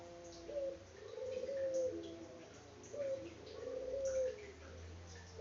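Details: Faint, repeated throbbing coos of an Indonesian local puter dove, each ending in a sustained note, set against constant hiss and low rumble.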